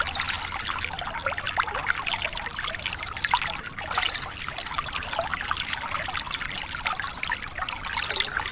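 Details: Javan bush lark singing energetically on a tutor recording for caged larks: repeated cycles of high trilled bursts, thin rattling whistles and buzzy phrases, with brief pauses and a steady background of small clicking notes.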